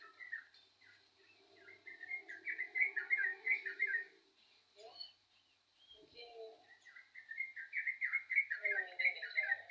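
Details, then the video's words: Yellow-vented bulbul in full song, pouring out fast gurgling phrases of bubbly notes, a short gap with a few scattered chirps midway, then another rapid burst, over a thin constant high tone. "burung trucukan gacor jos"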